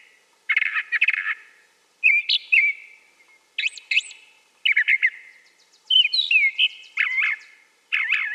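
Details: A Brown Thrasher sings loud, varied phrases of rich whistles, chirps and buzzy notes, each burst about a second long with short pauses between, and no other sounds.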